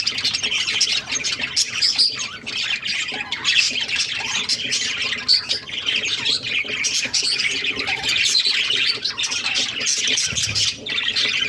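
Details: Pet budgerigars, including growing baby budgies, keep up a continuous, high-pitched chatter of squawks, chirps and warbles.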